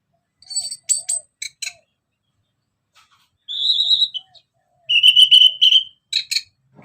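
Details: Orange-headed thrush, known locally as anis merah, singing as a lure bird: scattered whistled phrases and chirps, with a clear sustained warble near the middle and a longer trilled whistle toward the end, separated by short pauses.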